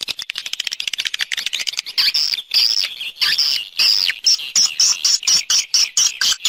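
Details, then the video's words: Swiftlet external sound: quick clicking ticks at first, then longer, bright, high twittered notes repeated in a steady, pulsing rhythm. "Free Swiftlet External Sounds"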